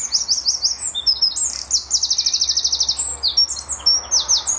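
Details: Loud wren song recorded early morning at Standalone Farm, Letchworth, March 2014, a bird answering a neighbouring wren across territories: shrill, tumbling high notes with a fast machine-gun trill in the middle, then more sharp chirped phrases.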